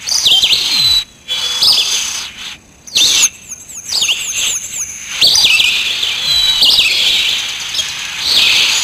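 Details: A sparrow, described as black, gives sharp, high chirps in quick, uneven bursts, mixed with thin whistled notes and brief pauses; natural outdoor sound.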